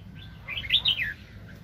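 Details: Excited wild red-whiskered bulbul, heard during bird trapping in 2020, gives a single clear, rapid, up-and-down warbled phrase of bright liquid notes, with a quiet rumble beneath.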